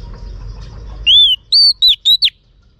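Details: Female Oriental magpie-robin calling to stimulate males, one crisp phrase: a long downcurved whistle, then three short, loud whistled notes that slur up and down, over a faint low hum.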